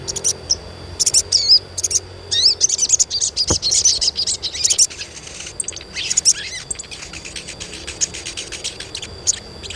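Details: Chirping of an Asian pied starling meant to stimulate young birds into singing: busy, irregular high chirps, squeaks and brief twittered runs spread across ten seconds, with one short low thump near the middle.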